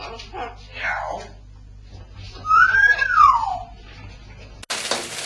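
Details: Several pet parrots indoors: a loud whistled call arching upward then sliding down over about a second, preceded by softer chattering notes and cut off by an abrupt burst of broadband noise.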